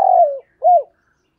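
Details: Spotted dove used as a caged decoy, cooing to call: a long, slightly falling hollow note followed by a short arched coo, then silence.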